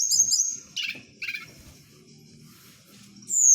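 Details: Blue flycatcher (tledekan, Merapi) at night, kept and played by its owner: short bursts of high, bright whistled notes that slide downward, then a long pause before a final sweeping high whistle, over a low steady hum.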